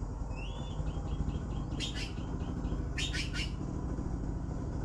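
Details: Begging blue magpies: a string of soft thin whistled notes opens, followed by two loud hissing, buzzy bursts about a second apart, over a continuous deep background hum.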